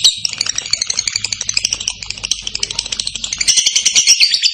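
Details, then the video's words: A lovebird pours out the long ngekek trill that should make other lovebirds answer: a dense, fast, high, jangling chatter throughout, swelling louder near the end, over a faint low hum. "LOVEBIRD MANAPUN AKAN NYAUT, BEGITU DENGAR KICAU LABET NGEKEK JERNIH PANJANG INI"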